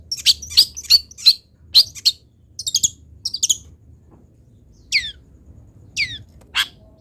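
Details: Long-tailed shrike song, a training recording for other shrikes to copy: a run of sharp, high chirped notes in quick series, then brief buzzy bursts and three separate downward-sweeping whistles, in a quiet setting.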